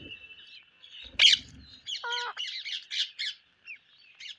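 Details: Parrots on a rainy day: a long steady whistled tone, then one loud harsh squawk, followed by a nasal harmonic call and a string of scratchy, chattering squawks that fade out.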